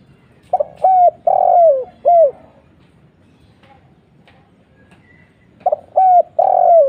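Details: Spotted dove lure call of the 'kuk 1' type: two cooing phrases, each of clipped soft notes building to a long, drawn-out coo that slides downward, with a quiet pause of about three seconds between them.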